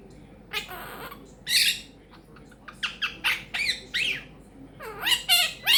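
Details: Pet quaker parrot talking and chatting indoors, with a repertoire including peek a boo, making bacon pancakes, give me a kiss and thank you baby; a string of squawky, voice-like bursts with sweeping harmonics, irregularly spaced.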